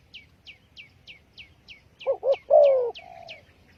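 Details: Lure call of a spotted dove for trapping: one phrase of two quick coos followed by a long, falling, throaty croon, preceded by a run of evenly spaced, sharp, high chirps from another bird.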